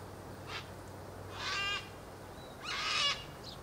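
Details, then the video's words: Ibis flock browsing a ploughed meadow and grooming in warm afternoon sun; three short, hoarse, rasping calls with stacked harmonics, each under half a second, over a low steady background hum. "Zillions of Ibis"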